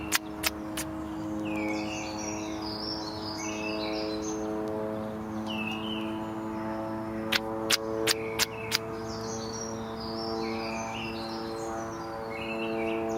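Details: Robin giving an unusual, strange-sounding vocalization: short high twittering and warbled phrases in bursts, over a steady droning musical background with a few sharp clicks.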